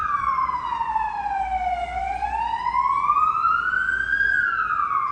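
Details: A loud wailing siren sweeps slowly down, rises again and falls away over a low background rumble, with no animal voices.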